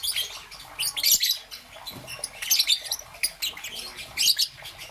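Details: Young peach-faced lovebird, green and yellow, chirping in the morning: softer, continuous scratchy high chatter swelling into louder chirp clusters about every second and a half.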